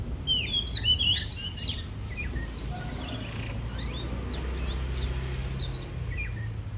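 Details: Oriental magpie-robin about to spread its tail: a quick run of sweet whistled and chattering notes opens, then softer scattered chirps follow against a constant low rumble.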